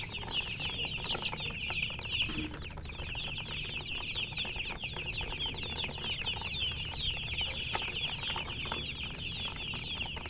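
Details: Many colour chickens peep nonstop, bright thin chirps packed tightly together for the whole stretch; a brief low thump near the start and steady background hum.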